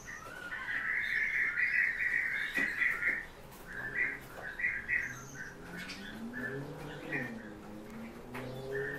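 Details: A kept common chaffinch (Fringilla coelebs) gives a fast, rattling run of bright notes lasting about three seconds, followed by scattered single chirps, with faint low murmuring sounds underneath.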